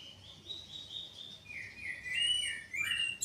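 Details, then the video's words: Oriental magpie-robin song used to stimulate a bird that rarely sings: a run of varied clear whistled notes stepping between high and lower pitches, ending in chirpy upward-swept phrases, with light background noise. "pancingan Kacer bahan susah bunyi"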